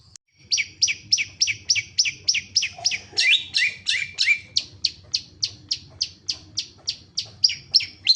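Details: Long-tailed shrike singing vigorously; a fast, steady series of sharp, high chipping notes about three per second, broken midway by a brief burst of lower, harsher notes, then resuming the even rhythm.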